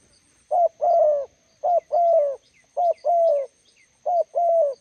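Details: A spotted dove decoy meets a wild bird at the roadside, calling four even two-part coos, a short note running into a longer slightly falling one, with faint chirping ticks above.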